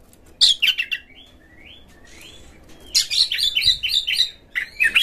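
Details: Oriental magpie-robin lure song meant to provoke other magpie-robins into tail-spreading, full singing and fighting: a burst of dense chattering notes, then soft rising whistles, then a long rapid run of high chirps and trills.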